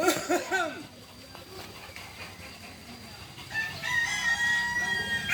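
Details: Kukuak Balenggek chicken at a group training session in Ampang Kualo, Kota Solok, Indonesia; a short crow opens, followed by a quiet stretch, then a second sustained, steady-pitched crow rises at the end.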